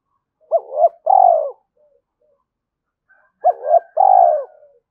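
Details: Spotted dove cooing to provoke a rival: two low, mellow coo phrases about three seconds apart, each a short rising note followed by a longer drawn-out purring coo, in a quiet setting.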